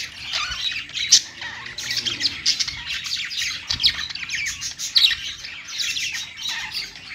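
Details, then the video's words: Budgerigars on a perch keep up a lively scratchy warble, with bright squeaks repeated at irregular intervals through rapid chatter. "budgies singing on perch"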